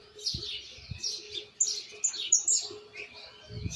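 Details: Fledgling white jilguero learning the misisipi song, with flaws still to correct but the base in place. It gives bright, high twittering bursts and thin whistled notes in quick succession, with a faint steady hum underneath.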